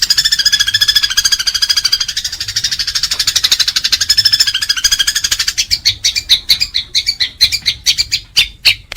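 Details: Fighting house sparrow: a long, fast, grating chatter of buzzy notes that breaks after about five seconds into loose, separate sharp chirps. Used for tutoring pet birds.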